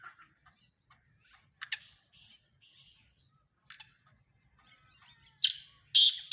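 Black francolin: two loud, harsh, grating bursts close together near the end, after scattered soft chirps and ticks from other small birds.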